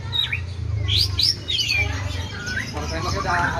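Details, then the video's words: White-rumped shama singing in a style imitating the sooty-headed bulbul: bright whistled notes, some sharply rising or falling, in quick bursts, over a steady low hum with faint voices. "Suara Emas Burung Murai Batu ll Murai Rasa Kutilang"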